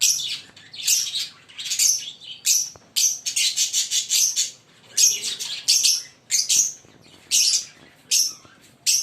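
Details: Pair of green Fischer's lovebirds chirping continuously, shrill high squeaky notes in quick clustered bursts, several per second, with short pauses between runs.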